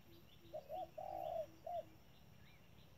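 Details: Decoy spotted dove at a bird trap gives one cooing phrase: two short hooked coos, a long sustained coo, then a final clipped note, with soft low notes in the quiet background.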